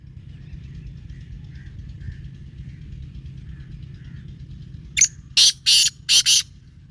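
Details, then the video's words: Black francolin calling: after several seconds of low rumbling background, a loud series of five harsh, grating, broadband notes arrives in quick succession near the end, with faint thin whistles earlier. "کالا تیتر کی آواز"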